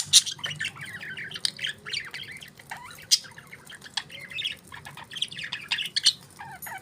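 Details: Pet budgerigars chirping together: a busy flock chatter of warbled, squeaky notes and sharp high chirps, overlapping without a steady rhythm, with a faint low hum underneath.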